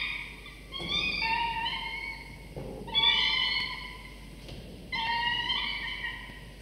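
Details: Two falcon chicks 24–25 days from hatching, sleepy yet fed prey by the male at the nest for breakfast; three bouts of overlapping whining, wavering cries about two seconds apart, with soft knocks between.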